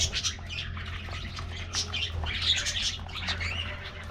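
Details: Colourful budgerigars in an aviary at a morning treat: busy overlapping squawks and chirps from the flock, scratchy and bright, with a steady low hum behind.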